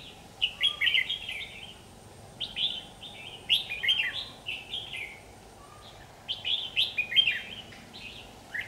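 Red-whiskered bulbul singing bright, bubbly warbled phrases of several quick notes, in three bursts a couple of seconds apart, over a low steady background hum.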